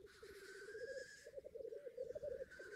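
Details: Black grouse at a lek in northern England: continuous low, dove-like bubbling rolls in rapid pulses, broken by drawn-out hoarse hissing sneezes.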